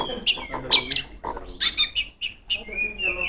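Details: Female Oriental magpie-robin calling rivals: harsh, scratchy chips mixed with brief squeaky whistles, giving way to a softer whistled phrase at the end.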